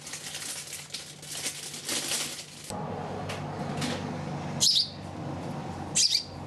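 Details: A house sparrow raised by hand after being found on the street as a chick utters two sharp high chirps about a second apart, following a stretch of rustling and low hum.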